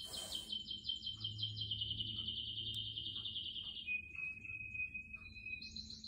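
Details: Canary song indoors near plants: a rapid pulsed high trill slowly descending, followed by a lower thin whistled roll and a brief higher buzzy phrase at the end; soft low hum beneath.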